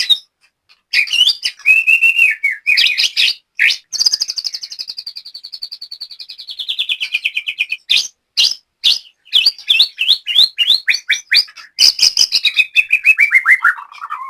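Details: Indonesian white-rumped shama singing at a practice session, a long varied performance of sweet sliding whistles, fast trills, sharp chip notes and a long descending warbled run, loud and continuous.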